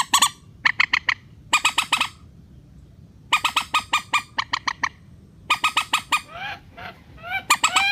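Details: Rail (mandar) calls played as a relaxed-style lure to bring wary birds down into nets: bursts of harsh, nasal, squawking notes in rapid series, clustered in groups with short pauses, some notes sliding upward near the end.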